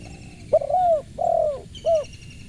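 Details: Spotted dove giving a three-part call: a quick clipped note, a drawn-out soft descending coo, then a short closing coo. A thin steady whistle sounds behind it.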